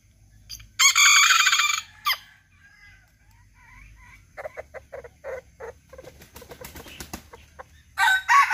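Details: A Serama rooster crows loudly with a strained, harsh, drawn-out call lasting about a second. A run of short, clucking notes follows, then a second crow begins at the end. Soft background rustling is also heard.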